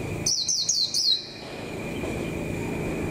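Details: ['Decoy white-eye building form for the 2021 season. One rapid run of four high, downward-slurred chirps lasting under a second, followed by quiet and a background hum.']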